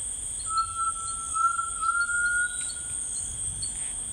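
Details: Long, smooth whistle of a Grey Tinamou in rainforest, sustained about two and a half seconds with a slight upward slide. Brief high chirps repeat all around and insects drone steadily.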